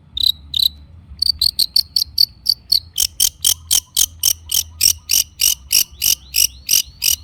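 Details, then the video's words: Long-tailed shrike in lively lure song: a few high whistled notes, then a long regular series of sharp chip notes, about three per second, growing slightly harsher. "kicau cendet gacor pancingan cendet stres macet bunyi JADIKAN cendet NYAUT GACOR"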